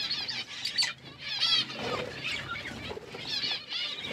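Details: Several budgerigars in a forest-style aviary give a warbling, chattering stream of quick high chirps, rising and falling in bursts with short dips between them.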